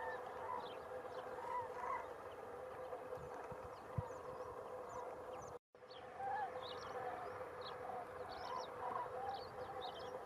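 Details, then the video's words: Common crane (Grus grus) in Extremadura, Spain: many overlapping trumpeting, rolling calls from a distant flock, rising and falling throughout, with thin high chirps of small birds above and a steady low hum; a brief silent break midway. "Grous | Common crane (Grus grus)"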